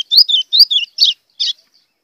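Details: White-throated seedeater giving a blue grosbeak-style song meant to provoke other birds: rapid high twittering phrases of sliding chirps in quick succession, a short gap, then one final buzzy note.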